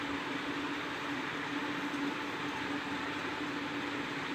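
Steady broadband rumble and hiss, like a passing train or running engine, with no animal voice heard.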